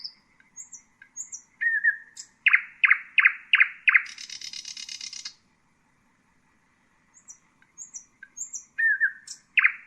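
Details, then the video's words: Common nightingale song with soft high whistles, a burst of loud descending chopping notes, then an extended high rattling trill; after a pause the soft whistles and a loud note resume. "Common nightingale,beautiful birdsinging"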